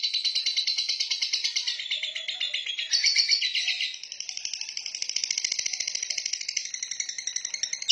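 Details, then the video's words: A female fighter lovebird chatters nonstop in fast, harsh, high twittering notes, louder and denser in the first half, then steadier rapid pulses. "Love Bird Betina Fighter"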